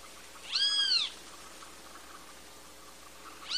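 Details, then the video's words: Great kiskadee, a Latin American bird known in Brazil as Bem-te-vi: one loud, arched, harmonic-rich note lasting about half a second, a long quiet pause, then another note beginning as the clip ends. "Great Kiskadee Bird Singing (Bem te vi)"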